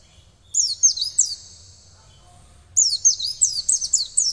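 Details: Oriental white-eye in training to sing: two bursts of very high, thin chirping twitters with quick descending slurred notes, separated by a quiet pause.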